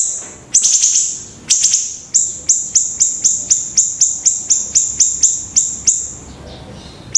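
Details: Pleret singing gacor: a short trilled burst, then a run of evenly spaced, sharp, high-pitched chips at about four per second, ending in a pause and one last note.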